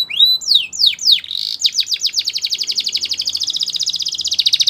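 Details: Song of a Russian canary opening with a few looping high whistles, then breaking into a rapid, dense trill of repeated notes that rolls on steadily, loud and sustained, with a faint low hum beneath.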